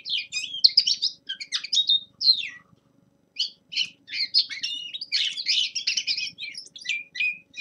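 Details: Practice song of a young male common linnet in winter: a twittering opening phrase, a short silence, then a rich, rapid chatter of mixed chirps, buzzes and whistled notes.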